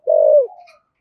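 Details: Spotted dove of the prized deep-voiced local type giving one low, mellow coo that holds level, then slides down and trails off softly, all under a second, with a faint higher tone at the end.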